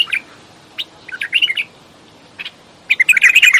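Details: Bulbul singing short slurred whistles and chirps, then a brief gap and a dense, fast ending phrase of bright chattering notes.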